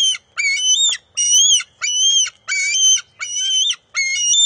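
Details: Bald eagle eaglet at its nest on June 23, 2021, competing with its mother for a fish and stealing it back: seven high, harmonic, slightly rising squealing notes, each about half a second long, in steady succession.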